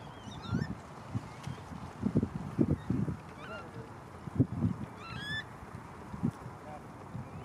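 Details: Baby coot in Malibu calling with short, high, upward-sliding whistled peeps at irregular intervals, accompanied by repeated low thuds and splashy knocks in a constant background hum.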